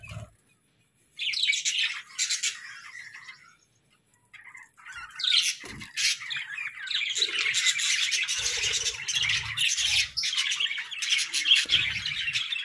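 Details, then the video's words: Colorful budgerigars call after a short near-silence. Bursts of squawky chirping build into continuous, overlapping warbled chatter, with soft low knocks in places. "Joyful Parakeets🐦🦜: Daily Chirping, Songs, and Fun!"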